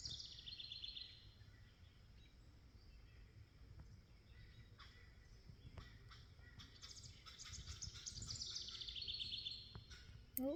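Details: Barred owl (Strix varia), one of two present, gives drawn-out, breathy, high, airy wheezing hisses, with faint bird chirps behind.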